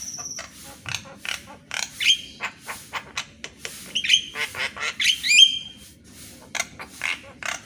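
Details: Javan myna morning song for training quiet mynas: a steady stream of clicks and chattering notes with several short whistles and a louder harsh squawk around the middle.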